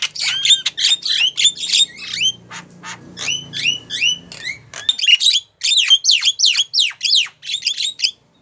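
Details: Javan myna female calling a male, with steady quick harsh notes and curving whistles, about three per second, and a low hum underneath during the first half.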